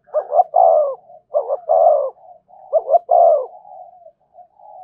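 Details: Spotted dove in the thổ voice style, giving thúc and kèm coos: three phrases in close succession, each made of two clipped notes and then a fuller, drawn-out coo, with soft trailing murmurs.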